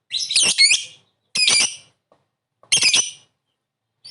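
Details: Lovebird calling, a lure for quick response: three loud harsh, grating squawks with a chattering texture, spaced over a second apart, nothing else heard.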